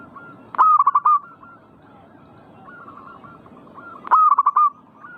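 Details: Perkutut, the zebra dove, in repeated manggung song meant to provoke singing: two loud rolling coo phrases about three and a half seconds apart, each a sharp start and quick pulsed notes, softer coos between.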